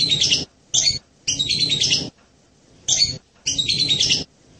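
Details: Hanging parrot producing long, scratchy, shrill chattering phrases broken by short pauses, with a low rumbling noise under the calls.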